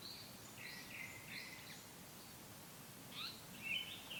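Japanese paradise flycatcher singing two soft, high phrases of slurred whistles and buzzy notes, a couple of seconds apart, over a steady hiss of background noise.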